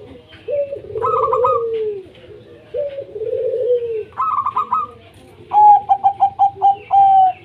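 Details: Local zebra doves in chorus, played to get other doves singing: low rolling coos, a quick staccato run, then a louder series of evenly spaced clipped notes ending in a longer held note.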